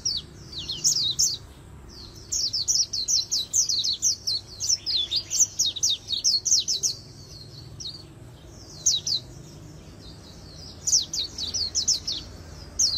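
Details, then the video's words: Extended fast fighting trill, 'líu đấu', from an Oriental white-eye in magpie-robin-like voice for voice training: repeated bursts of high, quick, downslurred whistles and twitters, each several seconds long, broken by short pauses throughout. "Luyện Giọng Vành Khuyên Líu Đấu Siêu Nhanh | Khuyên Líu Kích Bổi | Khuyên Líu Giọng Chòe Chuẩn"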